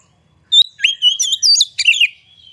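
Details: Oriental magpie-robin in excited full song with its tail fanned, meant to lure other birds into singing: a short, fast phrase of sweet whistles, upslurs and buzzy twisted notes, very quiet surroundings.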